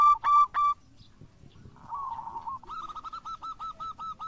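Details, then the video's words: Local zebra dove, a lure recording of an actively singing bird: three loud, clear coo notes, a soft warble, then a fast run of short hooked coos repeated about four per second. "Perkutut Lokal Gacor"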